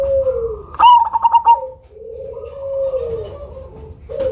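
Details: Cemani zebra dove, a loud caller with a distinctive rhythm used to lure others: a low gliding coo, then a burst of rapid bubbling notes, followed by another long, soft, wavering coo.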